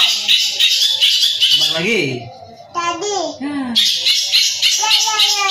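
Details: A young long-tailed shrike from Madura pours out a dense, scratchy, high chatter of quick notes, broken midway by a man's voice talking.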